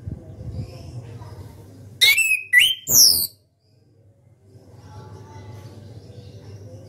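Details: Champion contest orange-headed thrush, caged, sings one ngeplong phrase: about a second of loud twisting whistles and sharp clicks, framed by low hum and soft background murmur.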